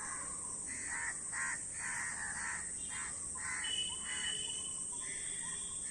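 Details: A flock of crows: harsh, ragged caws come in quick bursts of two or three. A thin whistled tone sounds briefly above them. A steady high hiss runs throughout.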